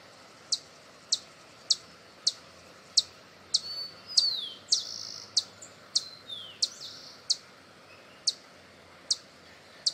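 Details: Hummingbird calling: high, dry ticks spaced roughly every half second, and a burst of squeaky, downward-sliding notes in the middle.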